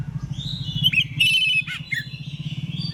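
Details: Morning ngeplong song of an Oriental magpie-robin, sung to make other magpie-robins reply: brief clear whistles and sharp rising and falling notes in quick succession, with a constant low droning hum underneath.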